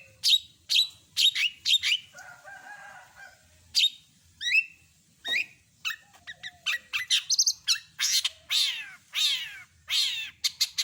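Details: Long-tailed shrike pouring out its full set of imitated bird sounds. Sharp chips, short whistles and a low buzzy passage lead into fast, dense twittering and descending scratchy trills.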